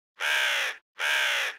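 A crow gives two harsh, hoarse caws, each just over half a second long with a brief pause between, against a silent background.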